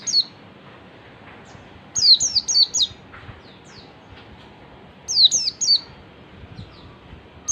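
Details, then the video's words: Lure song of an oriental white-eye in ngalas style, intended to make other white-eyes respond: three clusters of four or five high, thin, falling whistles spaced about three seconds apart, with a soft background hiss. "pancingan pleci ngalas PLECI MANAPUN AKAN LANGSUNG MERESPON DAN NGALAS"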